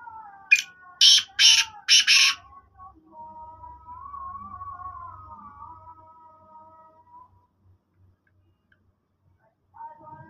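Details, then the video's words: Black francolin giving three loud, harsh, grating notes in quick succession, followed by a faint, drawn-out whistled tone in the background. "Kale teetar ki awaz black francolin ki awaz"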